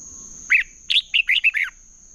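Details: Red-whiskered bulbul (chào mào) in competitive singing, used to train and stimulate other bulbuls: one quick phrase of about six chirpy, slurred whistled notes, with a steady high electronic whine throughout.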